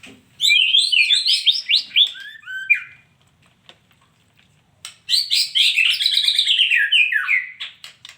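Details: Female white-rumped shama delivering two dense bursts of rapid, warbled whistles, each lasting about two seconds, separated by a quiet gap.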